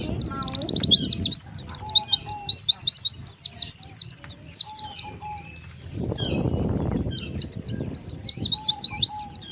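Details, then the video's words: Wild Oriental white-eyes are lured in with this call: continuous shrill, rapidly zigzagging twitters repeated in quick bursts, a short break with a low rushing noise, then the high chatter resumes, with faint brief mid-pitched tones in between. "SUARA PIKAT BURUNG PLECI SANGAT AMPUH,DENGAR SUARA INI BURUNG PLECI LIAR LANGSUNG NGUMPUL"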